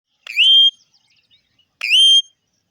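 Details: Indian ringneck parrot giving two loud, clear whistled calls about one and a half seconds apart, each rising quickly then held high and rich in overtones, with silence between.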